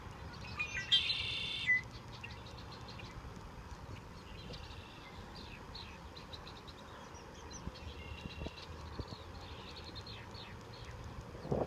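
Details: Dozens of red-winged blackbirds in San Rafael Park, a few blocks from a residential area: a loud, buzzy, ringing burst opens, then many thin, high chips and whistles from several birds repeat under steady background noise.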